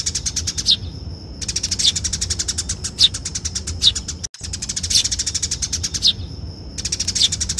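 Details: Eurasian tree sparrow in fighting mode, chattering fast and harshly in long, high-pitched bursts, broken by short pauses where a thin, steady whistle holds.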